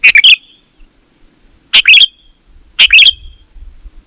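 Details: Sooty-headed bulbul song used to call wild bulbuls; three rich phrases of several rapid, bright, slightly slurred notes about a second and a half apart, with a faint low rumble behind.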